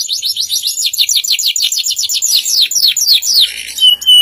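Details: Canary singing loudly: a long run of quick, evenly spaced swooping notes slurring downward, gradually slowing and spreading out, ending on a short steady whistle.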